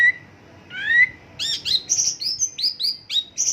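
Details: Mongolian lark in isian lokalan style: opening with a low, drawn whistle and a rising slurred note, then a quick series of high, clear whistled phrases and chirps.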